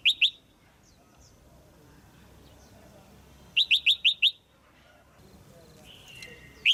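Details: Female red-whiskered bulbul call for stimulating a male or pairing. Two sharp chirps open, a long quiet gap follows, then five rapid chirps, and a single chirp closes.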